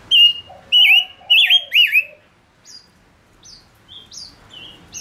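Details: Male lure bird singing: four loud, ringing whistled notes, each bending up and down, with low warbles beneath, then a quieter string of high thin notes.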